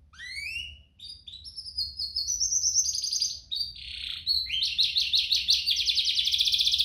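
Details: Canary song used to stimulate other canaries to sing. Rising whistled notes open the phrase, then varied warbles lead into a loud, fast, even trill that continues to the end.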